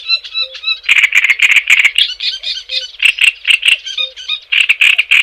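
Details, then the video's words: Java sparrow song: rapid series of clicking, chattering notes with short clear whistles mixed in, delivered in a fast irregular stream and nearly continuous throughout. "Suara Ocehan Burung GELATIK JAWA Untuk Pancingan Dan Masteran"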